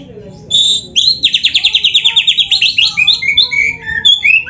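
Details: Singing Oriental magpie-robin in full gacor isian song: a held high whistle, then a rapid run of about fifteen pulsed notes, ending in twisting whistles and brief slides.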